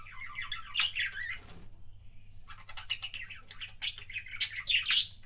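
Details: Kissing sounds from a budgerigar, heard as warbling, buzzy chatter with squeaky peaks, broken by a half-second gap, then resuming as busy chirping; a soft low hum runs beneath.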